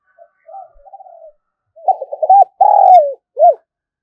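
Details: Spotted dove used as a lure to attract wild doves: soft murmured lead-in notes, then rapid rolling coos, a long loud coo dropping in pitch and a short separate closing note.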